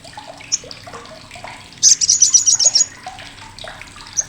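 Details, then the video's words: Harsh, sharp chattering of an olive-backed sunbird, known locally as sogok ontong and kept as a tutor for competition birds: one quick high rattle of about eight notes lasting a second, amid soft chirps and watery background noise. "CRECETAN SOGOK ONTONG"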